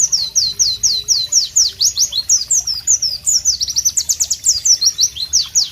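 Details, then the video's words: Loud sharp song of the White-eye, or Pleci, recorded in tropical nature ambience; high, rhythmic downslurred whistles repeated several per second, with faster bursts and varied notes. "Masteran Pleci Bird Sounds Loud, Sharp and Melodious"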